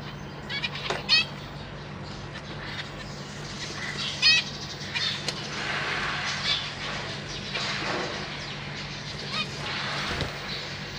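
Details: Caged zebra finches, a pair of parents feeding three juveniles and three newly hatched chicks, recorded 31 March 2023: short nasal, harmonic-rich beeps now and then, two louder ones standing out, over constant low electrical hum and soft rustling.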